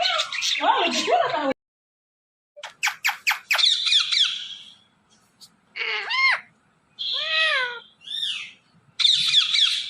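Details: Ring-necked parrot pet producing speech-like sounds: a burst of chatter, then a quick series of clicks, several steep harmonic swoops and curling notes, broken by short silences.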